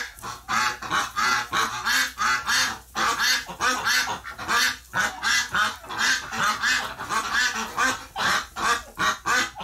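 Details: Many ducks calling in alarm-like agitation after a flockmate died, recorded 30 November 2018: a continuous chorus of coarse, honking quacks, uneven in rhythm, with some calls stacked on top of others.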